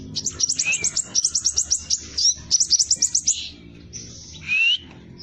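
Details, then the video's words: Hair-crested drongo rapid rolling song used as a lure for training birds: quick repeated high chirps in rhythmic bursts, a rising slurred whistle, and a buzzy note near the end. "Sepah Raja Gacor Roll Tembak Speed Rapat | Cocok Buat Pancingan Burung Anda"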